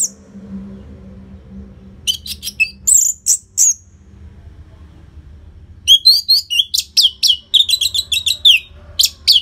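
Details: Loud high song of an Orange-headed thrush, played to coax caged birds to sing, from Bali, Indonesia: rapid bursts of sharp chirps, slurred whistles and rising notes after a quiet start.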